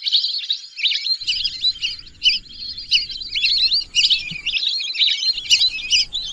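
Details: Lesser whistling ducks calling: dense, high whistled chirps and twitters overlapping continuously, with several birds sounding together and a low background rumble in places.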